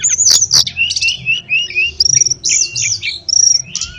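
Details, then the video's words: Ashy tailorbird song meant as a tutor for canaries and magpie-robins: clear, high whistles and short slurred notes in quick bursts, with a brief fast trill near the middle and steady chirping throughout. "masteran suara tledekan bagus buat kenari dan kacer"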